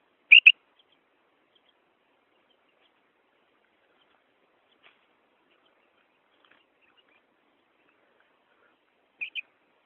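A female common quail gives a brief, high double note, then falls silent for about nine seconds before repeating the same paired call. The background is quiet.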